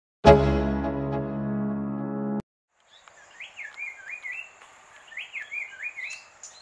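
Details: An Indian paradise flycatcher (Terpsiphone paradisi) in Sri Lanka gives a quick series of short, rising, slurred notes after a loud opening musical chord, over a thin, steady high-pitched insect whine.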